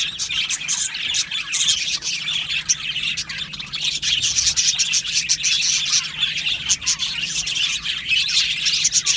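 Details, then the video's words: Many budgerigars in an aviary colony, rapid chirps and chattering warbles packed tightly together into a shimmering, unbroken high-pitched chorus with frequent louder bursts. "Beautiful Budgie singing and chirping sounds"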